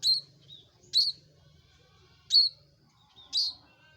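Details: Loud Bar-winged prinia giving four piercing, high chirps, each a quick downward flick into a short steady tone, spaced unevenly about one second apart, with a soft low rumble behind.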